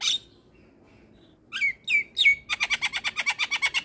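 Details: Javan myna in gacor song for therapy of silent mynas: a short squawk, a pause, three sliding whistled notes, then a quick, even train of about twelve clipped chattering notes.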